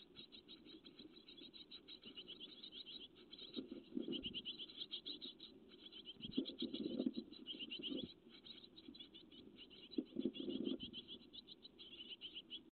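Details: A brood of great tit chicks in a webcam nest on 12 May 2017 keeps up a constant high, hissing chorus of rapid cheeps, with occasional low rustling bursts from movement in the nest.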